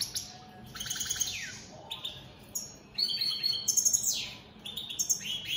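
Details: Caged opal split satinette European goldfinches singing through the day, mixing twittered notes, descending slurred whistles and buzzy trilled phrases with brief pauses.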